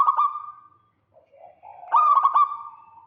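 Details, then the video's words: Zebra dove, local bird, luring a rival with 'kerot' calling: a stuttering loud coo trails off, brief soft lower warbling follows, then another strong burst of choppy ringing notes. "Perkutut lokal GACOR KEROT MANCING LAWAN"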